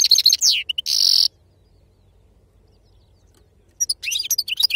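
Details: European goldfinch of wild-type singing style gives a high twittering phrase and a buzzy drawn-out note, then a pause before another rapid tinkling burst.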